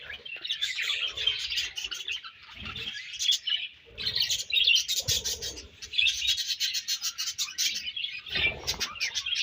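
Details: Budgerigars feeding and exchanging food chatter in waves of high, buzzy chirps and trills, several voices overlapping, with wing-like flutters and low bumps between bursts.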